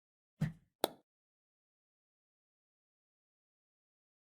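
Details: Two short dull knocks in quick succession early on, then near silence for the rest, with no animal call.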